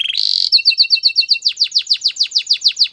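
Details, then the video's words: A canary sings a training song: a brief harsh buzz, a fast clipped trill, then a regular series of swooping downslurred notes at about six per second. "The best canary singing video ever | Belgian canary training"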